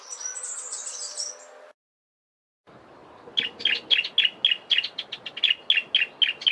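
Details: Bar-throated Apalis in a garden in the Eastern Cape, South Africa, giving a fast run of loud, sharp repeated notes, about four a second, preceded by a brief burst of thin, high twittering.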